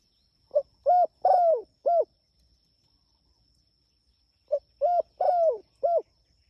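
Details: Spotted dove calling to its companions with two identical phrases about four seconds apart. Each phrase is a short lead note, a smooth coo, a drawn-out falling coo and a closing coo, all low and mellow, over a faint high whine.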